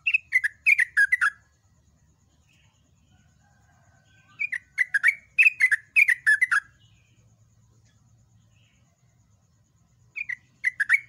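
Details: A yellow-vented bulbul sings in a loud training recording, giving quick bubbly phrases of five or six bright, falling notes, repeated every few seconds with quiet pauses between.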